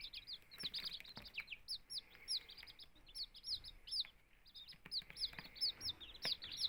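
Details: Chicken chicks two days out of a homemade incubator, housed together with quail chicks, give sharp, high, falling peeps in uneven clusters, several overlapping at once, over a low hum.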